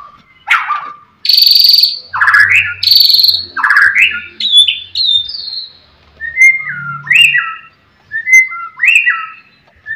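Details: White-rumped shama song used to provoke rival birds: loud buzzy harsh bursts at the start, then a sequence of clear whistled phrases rising and falling, repeated in pairs.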